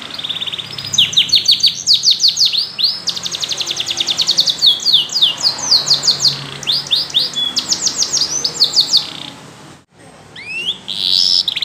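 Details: Yellow canary singing: fast high trills and rolls broken by bursts of sharp descending sweeps. A brief pause near the end, then rising slurred notes resume.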